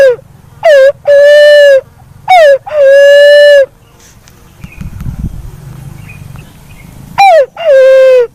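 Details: Black-naped fruit dove calling three times, each call a short downslurred note followed by a long, steady, nasal hooting note, with a quiet gap and faint rustling between calls.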